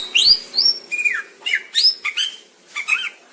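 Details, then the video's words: Greater green leafbird master song for training: varied high slurred whistles, several curving downward, delivered in short irregular bursts with brief gaps. "Cucak ijo"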